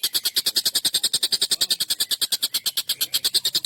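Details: Agitated collared kingfisher giving a long, sharp, harsh call meant as a master for songbirds: steady, rasping, evenly spaced notes, roughly three each second, unbroken throughout.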